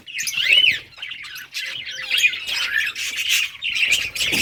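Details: Budgerigars in a summer breeding colony, playing; continuous high warbling chatter with rising and falling squawky notes, several birds calling at once.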